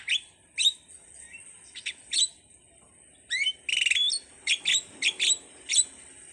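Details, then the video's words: Starling singing a loose string of sharp chirps, clicks and brief whistles with uneven gaps, including a fast rattled burst in the middle; a thin high steady tone runs beneath. "suwara //burung jalak//"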